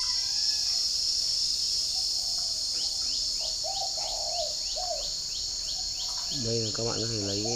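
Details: Morning coos from a kept spotted dove in Ba Vi, Hanoi, Vietnam, calling back and forth with wild doves outside. A run of soft, mellow hoots sits under shrill insect buzz and ticking chirps, then a harsh harmonic call ends it.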